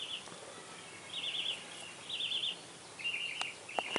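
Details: Purple martin chicks on their first day after hatching in Spring Branch, Texas give thin, high, buzzy twittering bursts, four or five brief clusters over a steady background hiss.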